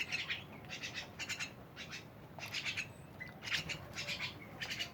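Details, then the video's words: Faint, lively myna chatter: repeated short, harsh bursts of pulsed notes scattered across the recording, mixed with a few brief whistled notes, all fairly quiet against a hissy background. "rame bersama burung jalak"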